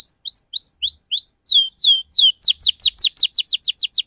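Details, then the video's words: Canary used as a lure to get young canaries responding, with a loud clean song: evenly spaced upward-sweeping whistles that slow into longer slurs, then quicken into a rapid run of steep descending notes, about four per second. "SUARA PANCINGAN KENARI PAUD BELAJAR BUNYI NGRIWIK CUIT CUIT"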